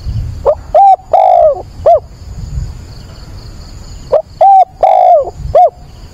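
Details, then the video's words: At dawn on 22 October, a decoy spotted dove coos to rouse and train newly caught birds. Two full four-note phrases about three seconds apart, each a brief note, a clear coo, a drawn-out falling coo and a short end note, over a thin high hum. "Cu mồi gáy gọi, bình minh kích bổi luyện bổi"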